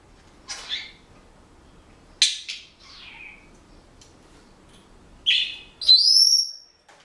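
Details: Senegal parrot pet making varied noises indoors: several short squeaky chirps and downward slurs, then a loud whistle rising smoothly, part of a song it is learning.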